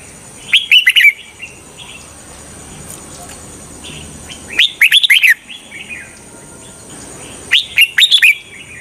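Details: Trapping decoy red-whiskered bulbul delivering three quick phrases of bright, warbled whistled notes, roughly three seconds apart, with faint soft notes in the gaps.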